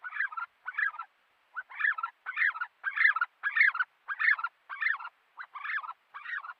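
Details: A Himalayan snowcock singing in the Himalayas: a loud, harsh, gobbling series of mid-pitched, slightly buzzy notes at about one and a half per second, with no other sounds.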